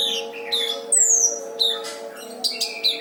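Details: Brown-throated sunbird in loud song used as a tutor for other birds: a long high whistle sliding downward, then scratchy squeaks and sharp chips, with a steady low hum beneath.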